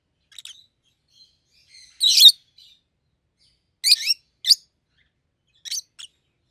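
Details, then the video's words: Two red-headed rosy-faced lovebirds, one yellow, one green, utter separate loud, harsh shrieks spaced a second or two apart, with quiet pauses between. "Lovebird's Sounds"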